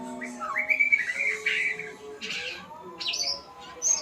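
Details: White-rumped shama learning sounds: a sustained whistled phrase followed by harsh, scratchy bursts and a sharp high note at the end.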